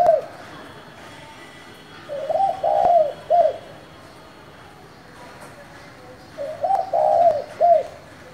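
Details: Spotted dove with a 'thổ' voice style, calling to stir wild-caught doves into cooing. Two low cooing phrases about four seconds apart, each a short note, a longer warbling coo, then a clipped final note, over quiet background hiss.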